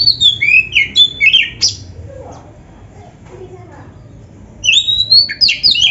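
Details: Kacer, or oriental magpie-robin, singing a training song full of borrowed isian phrases; bursts of sharp, slurred whistles at the start and end are separated by a quiet gap of faint background murmur.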